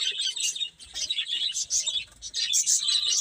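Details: Baby chickens eating and playing, several chicks giving high, overlapping peeps in bursts, with short quieter gaps near the middle of the stretch.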